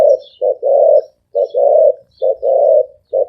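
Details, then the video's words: Very fast, rhythmic spotted dove cooing in the thổ ồm vang style. A brief coo is followed by a drawn-out one, repeated three times in quick succession. Faint high chirps from other birds sound behind. "Tiếng chim cu gáy thổ ồm vang gáy gù siêu tốc siêu nhanh"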